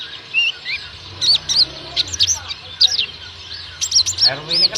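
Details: Oriental white-eye song, one of a collection of birds: scattered high, thin, twisting chirps and short trills coming irregularly, with soft background murmuring.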